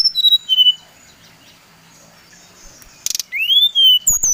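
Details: Brown-chested jungle flycatcher from Bali, song meant to stir other birds: a few soft whistled notes, a long quiet stretch, then a rising slurred whistle and a final high falling note.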